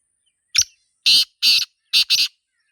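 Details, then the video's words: Wild black francolin recorded in its natural surroundings giving a full phrase: one thin clipped note, then four harsh, rasping bursts. The last two come close together, with silence around the phrase. "Sindhi Teetar Sound 2026 | Black Francolin Calling in Nature"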